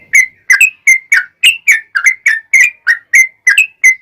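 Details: Yellow-vented bulbul singing eagerly to draw replies from other bulbuls: a quick regular series of about fourteen liquid, warbled chirps, each slightly different in pitch.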